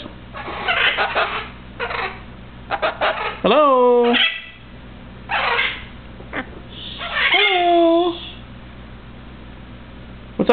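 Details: Male Eleonora cockatoo kept as a pet, talking and whistling indoors: loud, harsh, harmonic squawks that bend upward, several rough vocal bursts, and a person's voice close by.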